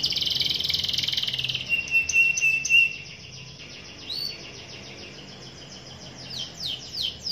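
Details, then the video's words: Young canary with a lively rolling 'ngerol' song: a dense buzzy trill, a few sweeping notes, a level whistle, then quieter scattered chirps and soft swoops toward the end. "KENARI GACOR NGEROL NEMBAK | LANGSUNG NYAUT GACOR KENARI MUDA"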